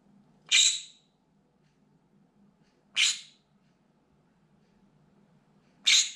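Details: Caged pet green-cheeked conure watching from a window, giving loud, desperate screams: three harsh, high, piercing shrieks spaced about two and a half seconds apart, each brief and grating, over a faint low indoor hum.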